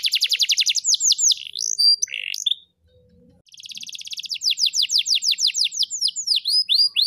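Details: Singing canary from Rembang delivering a dense rapid trill and mixed whistles, a short silent pause, then a long rolling series of downswept notes building back to full volume.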